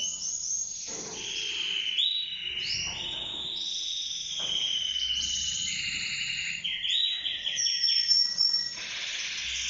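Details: Mosaic canary of a yellow-orange breeding pair, whose female has laid four eggs, sings a long, unbroken, high warbling run of bright whistles and fast rolling trills that shift pitch every second or so.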